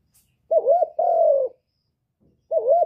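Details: Spotted dove cooing, used to stimulate other birds: a wavering, warbled coo followed by a long, steady, slightly falling coo, then a second wavering coo starting. Clean recording with no other sounds.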